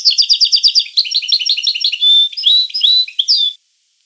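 European goldfinch song: a fast, tinkling run of high twittering notes, starting with quick repeated chips, then liquid trills and buzzy slurred phrases.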